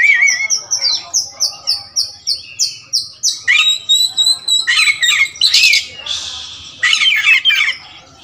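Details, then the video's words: Kacer wulung magpie-robin repeats a high descending whistle about a dozen times in steady rhythm. Loud rasping, hissing bursts and a shrill whistle follow, and the song fades near the end. "Adu spek raja kacer materi segudang kacer wulung"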